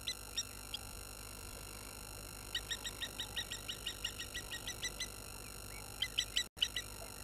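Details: Water thick-knees upset by a baboon getting close at Gowrie dam waterhole, Djuma Game Reserve, Sabi Sand Wildtuin, South Africa, 16:50 on 11/03/21, live camera: faint piping notes in an accelerating series, then a louder burst, over steady electronic hum.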